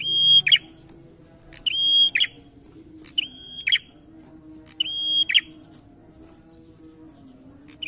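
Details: Prinia in loud challenging song, delivering five similar phrases: a crisp high click, a straight held whistle, then a short rattle of scratchy notes, repeating about every one and a half seconds.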